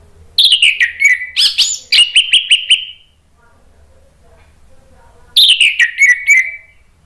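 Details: Orange-headed thrush song used as a lure and therapy to prompt stalled birds to sing: two loud bursts of rapid, slurred whistled notes falling from high to mid pitch, separated by about two seconds of near silence.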